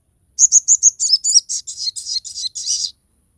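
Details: Crested jay in full song, meant as tutor and lure material: a fast run of about fifteen high notes, starting as clear even chips, then turning buzzy and raspy, over roughly two and a half seconds.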